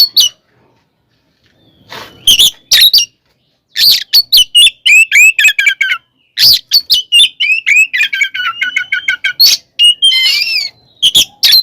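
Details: Oriental magpie-robin (kacer) fighting song to provoke rivals, opening quietly, then loud harsh bursts and rapid descending whistled series repeated in quick runs.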